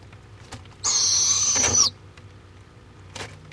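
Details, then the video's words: A barred owl in Florida on a live camera, March 23, 2015, makes a single rasping, high screech about one second long. Faint clicks and taps sound before and after. "Barred Owl"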